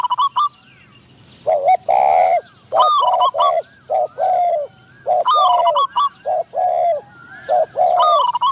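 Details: Decoy spotted dove in a trap setup, calling to attract wild doves. Loud, mellow, repeated coo phrases: clipped introductory notes then longer rounded coos, given again and again with short gaps and little background noise.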